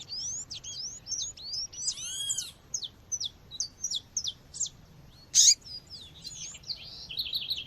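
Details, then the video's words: Female seedeater (coleiro or papa-capim) calling to stir up males, mixed with nature sounds: short, sharp, downslurred high chips in a quick irregular series, with an arched, ringing call from another bird and a brief loud burst. "fêmea chamando com som de natureza esquente já seu coleiro ou papa capim"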